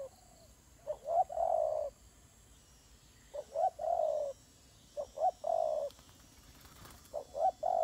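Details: Turtle doves fighting, described as a fight between the birds: low cooing phrases of two short notes and a longer rolling coo, repeated in bursts about every two seconds, with a faint background hum.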